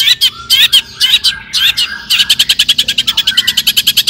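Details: Long-tailed shrike singing as a lure to rouse other shrikes: rough scratchy phrases at first, then a rapid even train of high clipped notes, about five per second.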